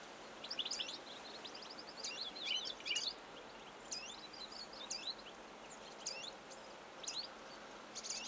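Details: Somewhat distant European goldfinch delivering scattered high twittering phrases with brief gaps, sharp chirps mixed with tinkling notes, over a quiet hissing background.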